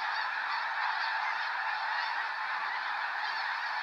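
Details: Large flock of snow geese taking flight near Sacramento National Wildlife Refuge, November 2018: countless overlapping honks merge into a continuous loud clamor held at an even level throughout.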